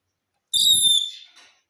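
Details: {'caption': 'Pet talking parrot saying "mummy": one high, clear, whistled word with a steady pitch, fading over about a second, with a soft low murmur beneath its start.'}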